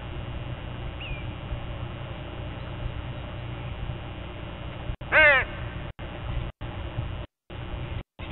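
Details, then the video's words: Crow calling at dawn among a group: a faint short note, then one loud harsh caw, with low steady background rumble and several brief gaps in the sound. "Dawn with a Murder of Crows"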